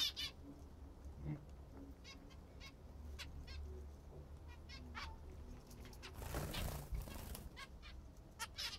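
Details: Household zebra finches eating what they love most, with occasional short nasal calls spaced a second or so apart, a rustling noise burst midway, and low hum throughout.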